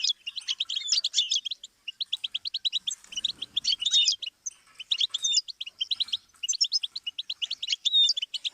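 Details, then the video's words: Rapid twittering phrases from a goldfinch, meant as a song stimulus for learning birds. Bursts of crisp high chirps and liquid trills are separated by brief pauses, with scratchy buzzing notes woven through. "Series of stimuli for the goldfinch"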